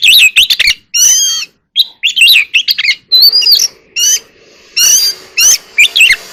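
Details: Oriental magpie-robin in contest song, mixing harsh squawky bursts, bubbling warbles and a sliding whistle, over a faint steady low hum.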